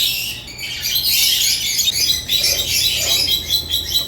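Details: Continuous high twittering from African lovebirds, many overlapping shrill chirps blending into a dense chatter, over a faint low hum.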